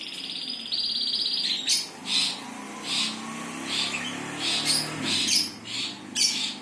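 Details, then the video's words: Birds chirping: a high trill, then loud, noisy chirp bursts repeated roughly every half second to second over a low rumble. "Burung Pada Berkicau"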